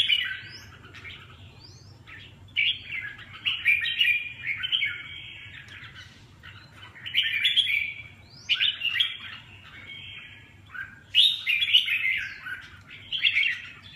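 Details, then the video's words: Red-whiskered bulbul singing repeated bursts of rich, chattering whistled phrases, each burst a second or two long, separated by quiet gaps over a faint low hum. "Kênh về chim Chào mào"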